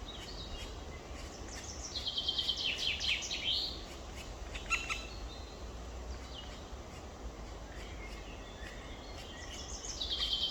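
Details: Two black woodpecker chicks in the nest, recorded 23 May 2023 at 19:43 in the evening: bursts of harsh, rapidly repeated chattering notes, strongest early on and again at the end, over a steady low background hiss.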